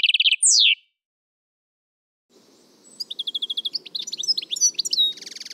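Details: Torojiw phrase of a caged Algerian European goldfinch: a short buzzy trill and steep descending note, a pause, then quick liquid twittering and chirps over a faint low background rumble, ending in a buzzy burst.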